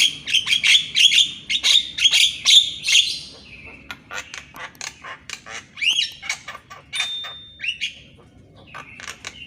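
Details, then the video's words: Javan myna singing in the morning, a recording used to train birds: rapid bursts of harsh, chattering notes around the upper-middle range, about two per second, followed by varied whistles, clicks and a level drawn-out tone. "MASTERAN BURUNG JALAK KEBO DI PAGI HARI !!"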